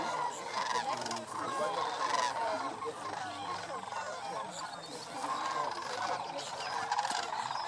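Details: Thousands of sandhill cranes on their annual migration stopover at Paynes Prairie in North Florida fill the air with a steady, unbroken chorus of purring, trilled bugling calls layered over one another for nearly eight seconds.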